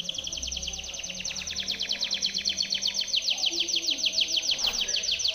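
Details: Timbrado canary training song, a sustained fast rolling trill of repeated slurred notes, slightly slowing and broadening toward the end, with faint low hum underneath.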